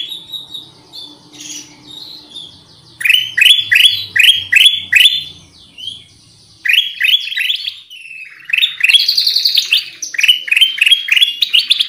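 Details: Black-crested bulbul (kutilang emas, cucak kuning) song used as a bird-catching lure: lively phrases of bright, slurred, rising whistles, repeated in quick bursts with short pauses, some notes sweeping upward and others chattering higher, clear and loud throughout.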